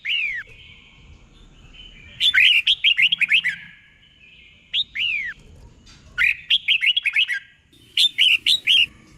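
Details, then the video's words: Red-whiskered bulbul tutor song used to train caged birds, sung in the doubled 'bern' style: slurred downward whistles, then rapid bursts of bright chirping notes in three phrases separated by short pauses. "เสียงนกกรงหัวจุก | สุดยอดนกครู เบิ้ลชัดๆ เบิ้ลเป็นคู่ๆ"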